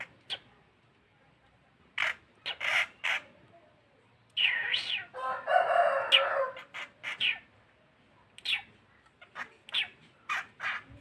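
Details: Tame long-tailed shrike chick calling: bursts of harsh, scratchy notes alternating with short chirps. Calls come in irregular clusters, with one longer rasping outburst in the middle.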